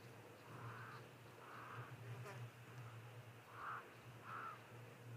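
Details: Pied crows calling around a game-reserve waterhole on 27 December 2023 give four hoarse, harsh caws in two spaced pairs, over a steady low hum and a quiet speaking voice.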